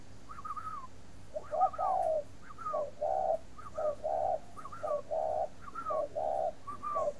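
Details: Spotted dove in a breeding aviary in Ba Vì, Hanoi, Vietnam, coos in a rhythmic series of low phrases. Each phrase has short opening notes and a longer final note. Faint higher slurred whistles run alongside.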